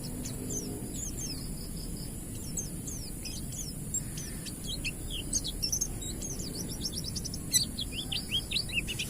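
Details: Oriental white-eye of the ngalas type, its song played as a lure to make newly kept white-eyes sing: a long run of thin, high, quick chirps and short downslurred whistles, tumbling in rapid twittering bursts over a low steady background hum.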